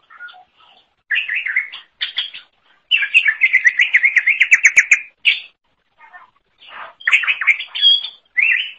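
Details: Lively song of the greater green leafbird (cucak ijo), meant as a master recording for training songbirds: scattered notes build into a long rapid zigzag trill, followed by brief pauses and bright whistled bursts.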